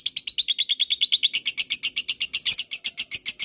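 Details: Fighter-type lovebird giving a long ngekek chatter, a lure meant to make other lovebirds answer and chatter back: a fast run of sharp, high, buzzy notes, about eight per second, steady throughout and stepping slightly higher midway, with no other sounds.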